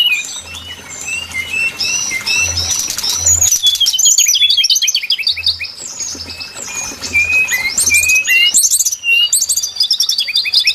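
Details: Brown-chested jungle flycatcher song used as a lure call for trapping birds: varied high whistled notes and rapid buzzy trills, with a steady low hum pulsing underneath and other chirps mixed in.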